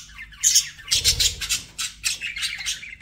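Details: Pet budgies giving short clusters of shrill squawks and chirps, with a soft low thump near the start of the chatter.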